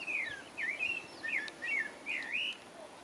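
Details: Pale-breasted thrush (Turdus leucomelas) singing in French Guiana: short, clear whistled phrases, each slurring up and down, given in quick succession about every half second over a soft steady hiss.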